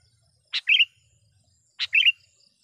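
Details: Sooty-headed bulbul calling a rival: two phrases about 1.3 seconds apart, each a dry click followed by a rapid liquid two-part chirp.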